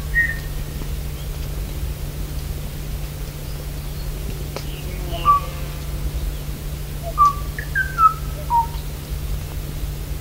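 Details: Song of the extinct Kauai ʻōʻō, possibly the last male of the species calling for a female that would never answer: clear, hollow whistled notes, several sliding downward, over a steady low hum and hiss.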